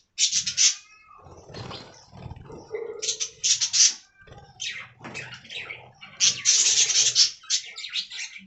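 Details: Aviary colony of budgerigars chattering: bursts of bright, buzzy warbling and sharp chirps from several birds, broken by short pauses and a low hum underneath.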